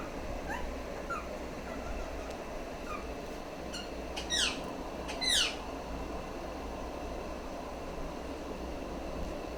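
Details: Female rose-ringed parakeet kept as a pet: a few faint scratchy notes, then two loud harsh downward-sweeping screeches about a second apart, over a constant background hum.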